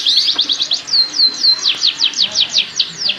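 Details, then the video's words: Breeding canary song meant to hasten pairing; rapid high chips, then drawn-out swooping whistles, followed by rhythmic falling sweeps repeated at an even pace. "Kicauan Kenari Kawin Untuk Pancingan Penjodohan Kenari"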